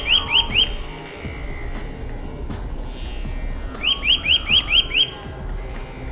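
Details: Eurasian nuthatch in March forest: a brief trio of rising whistles, then a run of six quick upslurred whistled notes, with soft other bird sounds behind.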